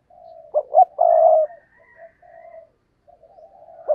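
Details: Decoy spotted dove, cooing to draw wild doves in; a quiet low coo opens, then a loud phrase of two short coos and a long hoarse one, followed by faint soft cooing.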